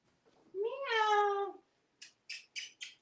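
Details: Pet talking parrot in Texas, hatched 1997 and wearing a collar, utters one long, wavering cat-like meow lasting about a second. It is followed by four quick, sharp clicking sounds indoors.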